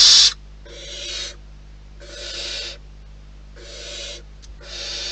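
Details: At a wild barn owl nest, one short loud rasping hiss is followed by four softer, drawn-out breathy hisses spaced about a second apart, with a faint constant background hum.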